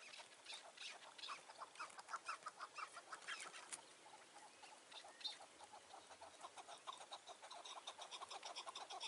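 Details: Chukar partridge calling on a mountain in June 2018 toward dusk during a trapping hunt, a bird lingering under a tree; rapid clucking notes in uneven bursts, some fading, over an open-air background hiss.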